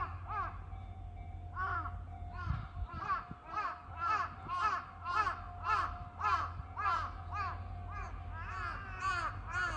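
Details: Two crows recorded on 1 April 2023: a steady run of hoarse cawing notes, roughly two per second, with a faint constant hum and low rumble beneath.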